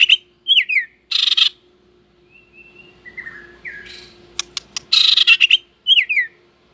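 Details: White-rumped shama, tail-flicking and newly in breeding condition, sings competitively in loud bursts: crisp falling whistles alternating with dense buzzy, harsh notes and a few soft slurred whistles between them. A faint steady hum runs underneath.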